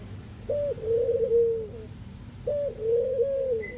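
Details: Collared dove from the Netherlands giving two similar coo phrases about two seconds apart, each starting with a short higher note, then a long, low, slightly wavering coo that fades away; a faint high tone near the end.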